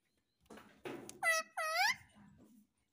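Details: Pet parrot (mittu) speaking indoors: a soft murmured syllable, then two loud nasal, harmonic word-like calls with falling-then-rising tone, followed by faint low chatter.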